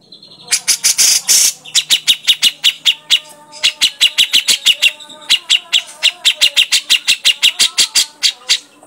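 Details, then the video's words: Grey-cheeked bulbul in lively lure recording, a harsh rasp opening into a long rapid train of sharp, high clipped chips, several each second, briefly pausing then resuming. "pancingan burung cucak jenggot"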